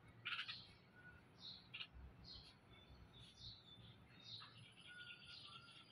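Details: Bulbul, a mother with her young, in a garden setting; short high chirps and brief whistled notes scattered across the clip over a low background rumble.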